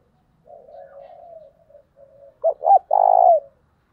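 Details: Spotted dove cooing, used to lure wild doves in a fiery, intense coo style: a soft, drawn-out low purr, then two quick hooked notes and one loud, full, sustained coo.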